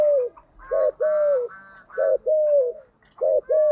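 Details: Spotted dove used as a lure bird, giving the urging coo and calling coo styles to stimulate decoy doves: clear low hooting coos in short two- and three-note groups, each note steady then falling slightly, with pauses between phrases.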